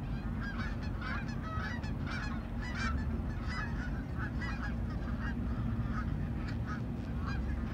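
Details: Several Canada geese honk constantly while approaching to land. Their short nasal calls overlap in a busy chorus against a loud, continuous low roar of wind.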